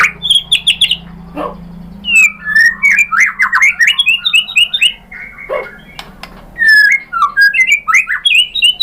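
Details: White-rumped shama song for provoking other birds: clicks and a short whistle, then a long varied sequence of loud swooping whistled phrases with chattering notes, a low hum behind.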